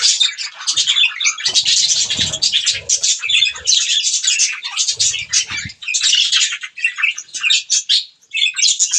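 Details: Pet budgies chirp over green food: rapid, buzzy twittering in dense runs, with soft fluttering and low bumps in the background and short gaps near the end.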